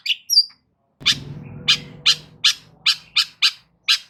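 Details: Long-tailed shrike (cendet) song, loud, used to provoke silent shrikes into responding: a few thin whistles, then harsh scratchy notes repeated about every third of a second over a low hum.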